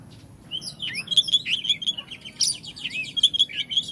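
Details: Oriental magpie-robin song: loud, varied whistled phrases with rising and falling slurs and sharp chips, delivered in quick bursts against a quiet background.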